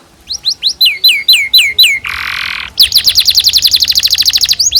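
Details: Canary master song for teaching juveniles: a series of hooked, falling whistled notes, a brief harsh buzzy chord, then a long fast rattling trill of repeated chips.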